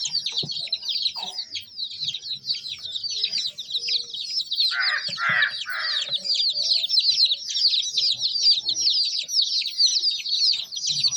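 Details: Baby chickens, a group of chicks, chirping: a dense, continuous chorus of high, rapid peeps overlapping throughout, with a few louder, lower, harsher calls near the middle and faint low thumps underneath.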